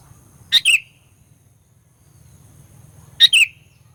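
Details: A sooty-headed bulbul sings as a fighter lure for provoking rivals, giving two short phrases nearly three seconds apart. Each is a sharp note followed by a slurred downward whistle, with a quiet background hum.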